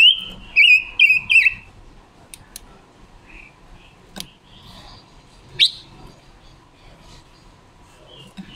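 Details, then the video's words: Wild-caught female red-billed leiothrix kept as a decoy bird, recorded October 2021 for training other birds' voices and luring wild ones: a quick burst of clear whistled, slightly warbling notes in the first second and a half, then near quiet with scattered faint chirps. "ngũ sắc mồi luyện giọng hót của chim già rừng ngũ sắc mái mồi"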